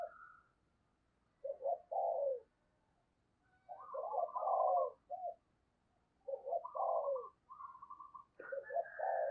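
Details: Decoy spotted dove calling to wild doves, its quieter, husky cooing phrases spaced a couple of seconds apart over faint low background noise.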